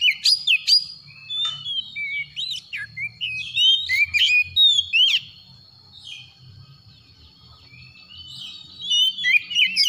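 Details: In the morning an Oriental magpie-robin delivers dense, rapid whistled notes with sharp upward flicks and chirps, falling quiet for a couple of seconds before resuming.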